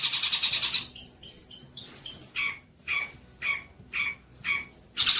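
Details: Long-tailed shrike song used as training material for young spotted juveniles: a fast buzzy trill, five sharp high whistled notes, then harsh rasping notes repeated about twice per second.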